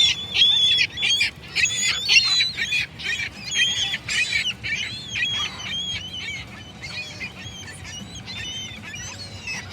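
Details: Many gulls calling together in a dense, overlapping chorus of harsh, nasal cries and yelps, strongest at the start and gradually thinning, with a low constant rumble beneath.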